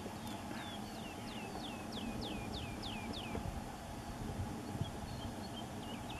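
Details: Black woodpecker busy at its nest in Heidestein, giving a run of about nine sharp, high, downslurred notes, roughly three per second, over steady low rumbling background noise.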